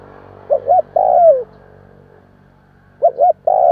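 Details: Spotted dove cooing in a kích bổi recording meant to stir a newly caught bird: two short hooting notes, then a longer coo sliding downward. The phrase sounds twice over a quiet background.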